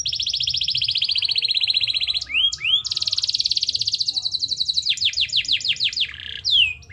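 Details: Canary trigger song for canaries reluctant to sing: a long fast trill of high pulses, a couple of rising whistled notes, another rolling trill, then quick falling sweeps and a short buzz.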